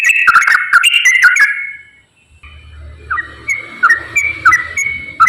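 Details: Straw-headed bulbul song used as a lure for reluctant singers: a dense burst of rich whistles, a short silence, then softer, spaced whistled notes over a low background rumble.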